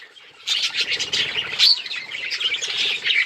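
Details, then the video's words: Budgies chirping on October 26, 2023: after a brief quieter moment, a lively burst of overlapping high chirps and warbled twitters starts and carries on steadily to the end. "Budgies beautiful colors and chirping sounds"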